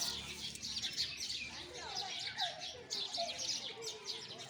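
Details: Busy chirping of sparrows, quick high notes tumbling over each other, accompanied by faint lower whistled phrases from other birds.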